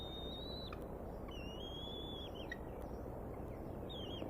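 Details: Eaglets of the Decorah bald eagle nest call at 6:10 pm on 14 May 2019 as the male eats a fish without sharing: long, thin piping whistles, level or faintly rising, with constant low background rumble.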